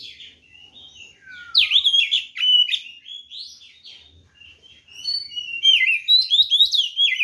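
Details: White-rumped shama delivering a fighting song meant to rile rival birds, rapid jumbled chattering and warbling with buzzy trills and quick whistled slurs in dense bursts, faint low thumps beneath.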